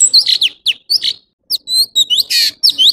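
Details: Orange-bellied leafbird, known in Vietnam as chim thanh tước, singing a fast, varied string of high, sharp chirps and upslurred whistled notes, with short pauses and a few buzzy bursts.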